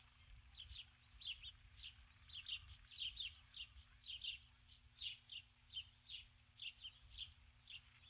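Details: Female osprey on her nest at dusk on 21 July 2015, having landed with a stick and calling for her mate, who does not come. Thin, high whistled chirps come in a steady series, roughly one per second, faint over a low steady hum.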